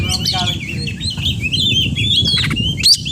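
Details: Oriental magpie-robin giving a flowing warbled phrase of wavering whistles, followed by a couple of sharp high notes, with steady low background noise.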